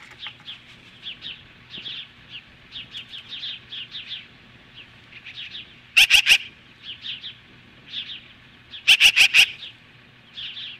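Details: Osprey at its nest near Lolo, Montana, Hellgate Canyon, mid-morning on July 15, 2015, standing off magpies: a steady stream of short, high whistled chirps, broken twice by loud harsh rasping bursts of four or five notes.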